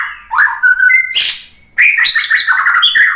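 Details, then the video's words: Caged white-rumped shama singing a loud, fast medley of slurred whistles, quick chips and warbled notes, with a short pause before a busier, buzzy, rapidly varied phrase. "suara KICAUAN MURAI BATU bikin NYAUT ikut BUNYI jadi GACOR NGEPLONG ¦ PANCINGAN MURAI"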